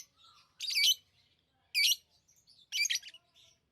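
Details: Lovebird chirps as three loud, rasping high-pitched bursts roughly one second apart, each a quick buzzy squeak, with faint softer twitters in between and little background noise.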